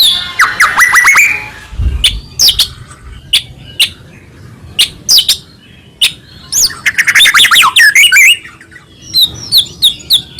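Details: Energetic white-rumped shama song used to make other shamas sing: sharp clicking notes and rapid high trills scattered over ten seconds, bursts of descending whistles, busy irregular rhythm with brief pauses.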